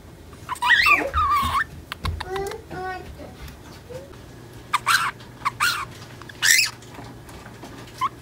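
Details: Pet female budgerigar, ten months old, chattering indoors in mimicked speech learned from another budgie in the home; rapid scratchy syllables and clicks, a few louder bursts near the end, separated by short pauses.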